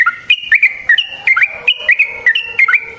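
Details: Yellow-vented bulbul's clear, lively song used as a trapping lure: rapid bubbly whistled phrases with up-and-down slurred notes, each phrase about a third of a second, repeated steadily.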